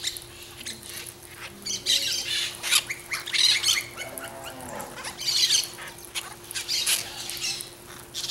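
Harsh, scratchy parakeet squawks in irregular bursts, loudest around the middle and end, over a steady low hum.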